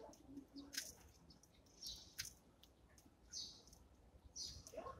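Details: Eurasian tree sparrow eating breakfast in the morning: bright, clipped chirps spaced irregularly a second or so apart, with occasional clicks and a faint low hum.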